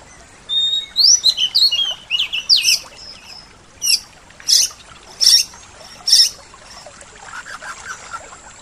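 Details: White-rumped shama singing a full isian song, a mimicry-filled style: quick high chirps and twisting whistles in a dense burst, then four loud separate sharp notes about a second apart, with fainter warbling at the end.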